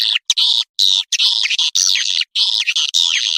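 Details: Swiftlet lure call played to draw swiftlets in flocks: bright, high chirping twitters in short bursts broken by brief silences, some notes sweeping downward, no other sounds.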